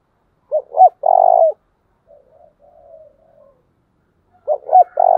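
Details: Spotted dove used as a decoy bird to train other doves, cooing: two short hooting notes followed by a longer steady coo, a soft faint murmur between phrases, then the pattern starting again.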